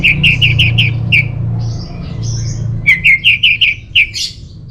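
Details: Orange-headed thrush, used as a lure and master song for caged birds, giving quick series of five or six similar chirps, broken by a soft warbled passage, with a low hum behind.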